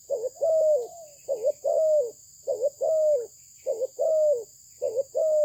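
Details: Malaysian-bred spotted dove singing steady repeated phrases, each a quick double coo followed by a longer mellow coo that rises then slides down, about four phrases in five seconds, with a constant high-pitched hum behind.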